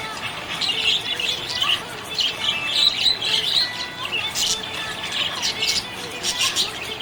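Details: ['Budgie described as happy, giving steady high-pitched chattering warbles, quick chirps strung together over several seconds with a few louder sharp notes near the end.']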